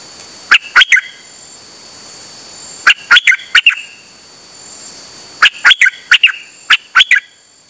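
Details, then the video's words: Dok Taeng bird, the Chao Khan Ngoen type, recorded 8 September 2023 on a rare outing and singing nonstop: short bright chirped phrases of three to five notes, separated by pauses of about two seconds, over a steady high hiss. "เสียงนกดอกแตงEp.187 จ้าวขันเงิน นานๆออกเที่ยวสับไม่หยุด!!"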